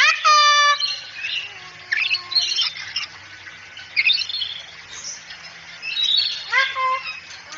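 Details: Cockatoo from a training track meant to make the bird talk quickly: a loud harmonic screech, then scattered raspy squawks and chatter, with a rising harsh cry near the end.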